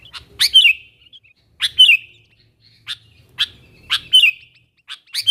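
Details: A sooty-headed bulbul calls to wild birds of its kind as a lure: sharp, clear notes, some ending in a short whistled flourish, repeated roughly every second over a quiet background.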